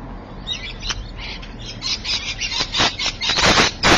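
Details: Rainbow lorikeet recorded at Evans Head on 26 May 2012 at 3:45 PM: loud, grating screeches in rapid bursts, growing denser and louder toward the end, some sharp and clipped, with faint chatter before.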